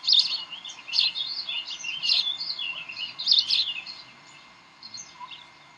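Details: At the Decorah bald eagle nest, evening of 18 May 2012, during tug of war: loud, high chirp bursts about once a second for four seconds, then fading to near quiet.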